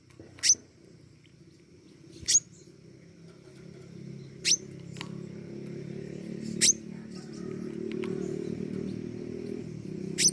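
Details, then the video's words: Pentis raja flowerpecker calling energetically: five sharp, very high single ticks spaced roughly two seconds apart, over a low hum that swells slightly toward the end. "burung pentis raja gacor"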